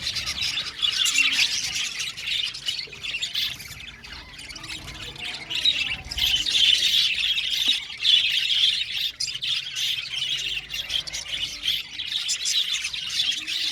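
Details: Budgies in an aviary colony chirping together: a dense, continuous chatter of squawks, warbles and tweets from many birds, rising and falling in loudness.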